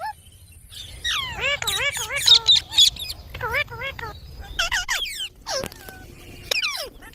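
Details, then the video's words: Green parrots talking, a run of wavy, harmonic calls that swoop up and down in quick succession, with a few sharp high chirps toward the end over faint background hum. "Beautiful Green Parrots Talking | Funny Parrot Sounds"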